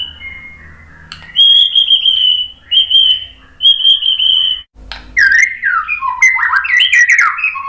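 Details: White-rumped shama song used as a lure to prompt other shamas to answer: sustained clear whistles, then a rapid, varied run of sliding, rising and falling notes.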